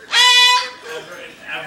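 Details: A captive Moluccan cockatoo singing Happy Birthday along with a person gives one loud, sustained, tuneful note with a rich harmonic tone, copying the melody, followed by softer murmured voice sounds.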